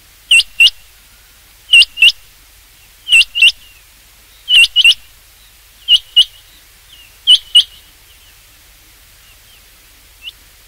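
A rain quail gives sharp, high whistled notes in quick pairs, 'which-which', repeated about every one and a half seconds against a quiet background.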